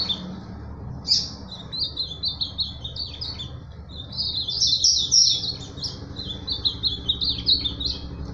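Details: Azulão, the ultramarine grosbeak, pouring out a continuous rapid warble of high sweet slurred notes, rising in strength mid-way and running almost without pause to the end, with faint low rumble behind.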